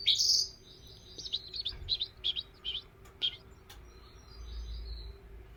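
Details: European goldfinch giving a brief loud chirp, then a string of soft, clipped, high twittering notes spaced irregularly. The background holds a low hum and faint room noise.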